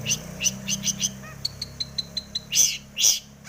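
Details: Long-tailed shrike in breeding condition delivering a mimicry-rich song to provoke singing: a run of quick sharp ticks and chirps, a brief descending whistle, then two loud harsh rasping bursts.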